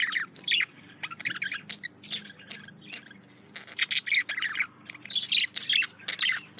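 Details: Male budgie wooing a female, pouring out a lively warble of squawky chirps and buzzy chatter in phrases a second or so long, with short silences between and a faint hum beneath.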